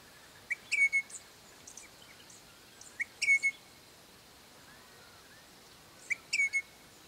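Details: Crimson Rosellas, an adult pair at home on a property, calling their young ones with short bright whistles in three clusters, each a quick rising note followed by a longer level whistle, with softer chirps between bouts and a quiet hiss behind.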